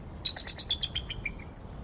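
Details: One short bald eagle vocal series from a pair perched on a tree at Decorah just after 7 am, 02-11-2022: about a dozen high, thin piping notes quickening and then dropping in pitch as they fade.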